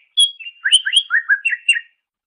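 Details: Greater green leafbird song used as master recording for training songbirds: a brief, lively phrase of clear whistled notes and downslurred chirps, high faint overtones, silence behind.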